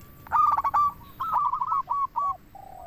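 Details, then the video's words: Actively singing local zebra dove, a lure to stir other doves into responding: a crackling stuttered opening runs into a smooth series of rolling, slightly rising coos that fade into a low steady note. "Perkutut Lokal Gacor RAJA PIKAT Ahlinya Bikin Semua Burung Perkutut Langsung Nyaut"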